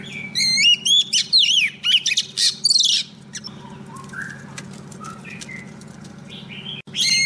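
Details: Decoy female Oriental magpie-robin singing to call a male. Three seconds of loud rich whistles and harsher notes, then quiet with a few soft distant notes and low hum, song resuming at the end.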